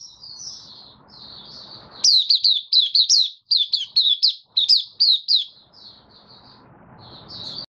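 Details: White-eye in a cage in Singapore, 18 May 2022, following deworming treatment: soft high warbling, then a loud burst of sharp rising whistled notes repeated quickly for about three seconds, fading back to quiet warbling.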